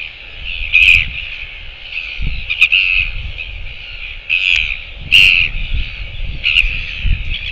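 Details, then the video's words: A Northern Royal Albatross chick on its nest at Pukekura/Taiaroa Head, Otago Peninsula, New Zealand, greets the day under a pink sunrise with harsh, nasal, crow-like calls in short bursts every second or two over steady wind rumble. "Royal Albatross Chick Greets The Day"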